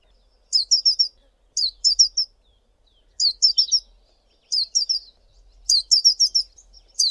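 A male collared sunbird gives high, thin, sharp chipping notes in quick bursts of three or four, repeated every second or so against a quiet background.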